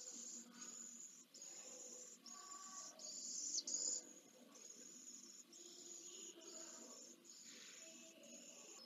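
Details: Only chick of pallid swifts at Jerez de la Frontera, Spain, 15 September 2022, fed by adults: soft, high, buzzy hisses in repeated short bursts, one louder sharp squeal midway, over faint nest rustles.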